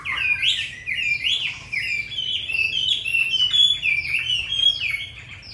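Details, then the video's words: Hwamei, tame and caged, from Hanoi, Vietnam, with a forest-style voice, delivering a continuous stream of clear, loud whistles that climb and fall in quick, varied phrases. "Họa mi 5633b đẹp giọng rừng hay mau mỏ"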